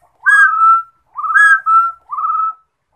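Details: Rufous-throated partridge, known in Hmong as Yij Coj Kum, whistles three loud phrases: a rising note followed by a sustained slightly falling tone, the last phrase softer, against silence.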